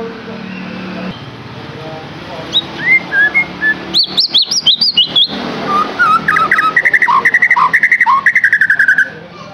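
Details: White-rumped shama lure song to get a captive bird singing: scattered whistled notes, then a run of sharp high slurred whistles and a long quick chattering trill of bright notes with lower interjections.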